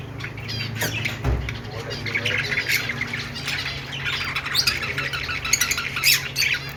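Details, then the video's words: Budgies singing as a group: busy, overlapping high chirps, squeaks and harsh squawks with no pause, plus a few soft low thumps near the start. "Budgies sounds /love birds sounds/budgies singing/parakeets chirping sounds"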